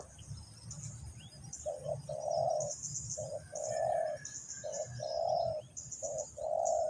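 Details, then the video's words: Spotted dove used as a trapping lure in Vietnam, cooing more distantly: paired coos, a brief note then a longer smooth one, spaced every second or so over a hissing background, with high chirping of other birds. "The Sound Of dove"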